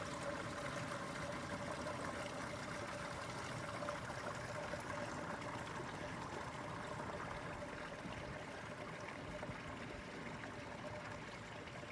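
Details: Steady rushing water with a low mechanical hum, like a pump or motor running; no animal calls stand out.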